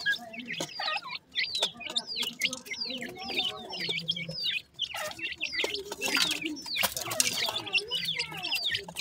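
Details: Chorus of young francolin (teetar) chicks giving rapid, sharp, high peeps that slur downward, many birds calling at once in quick, uneven succession, with light scratching and tapping noises.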